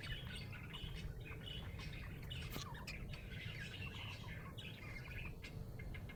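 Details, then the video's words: A happy budgie chirps nonstop, a dense chattering warble of squeaky tweets and brief harsh squawks packed closely together, with a steady low background hum. "Happy budgie chirping sound"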